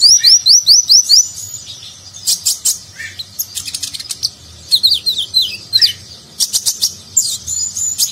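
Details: Konin (purple-throated sunbird), a nectar-feeding songbird, singing in lively nagen style with rich fill, used as a master recording for contest birds. High rapid rising chirps in quick series, then sharp buzzy bursts and twittering phrases.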